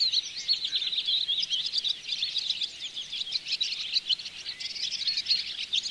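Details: Barn swallow chatter from a bird hide at Oostvaardersplassen, September 2016, on a Panasonic Lumix GH4: continuous high-pitched twittering of many overlapping voices, evenly busy throughout, with quick scratchy chirps and no pauses.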